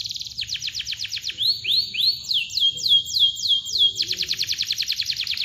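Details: Vigorous canary song of tight cuit-cuit chirps and long close rolls, used as training material for birds that have stopped singing: rapid descending notes, a run of slower upward-swept whistles, then a dense fast trill again.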